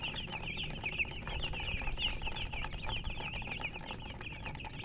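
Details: Baby chicks chirping: a continuous chorus of many thin, high peeping notes over a steady low rumble of background noise.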